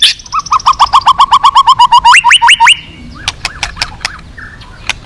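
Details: White-rumped shama at a contest hanging pole, singing fill-ins: a quick series of about twenty repeated clipped notes that speeds up into rising whistled notes, then a few sharp clicks.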